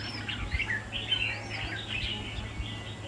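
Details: Red-whiskered bulbul in a cage at a song contest, singing a fast string of chirpy, slurred whistled notes over a low background hum.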